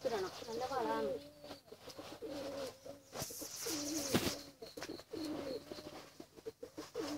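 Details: Hungry pigeon chicks begging for food, giving a string of squeaky, wavering whistles that rise and fall, clustered in short bursts with a sharp click or thump partway through.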